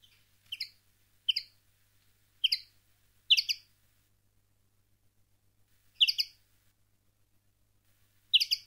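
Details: Common linnet song in field style, used to tutor young linnets. Six spaced, bright, doubled chirps come at uneven gaps of about one to two seconds against a faint low hum.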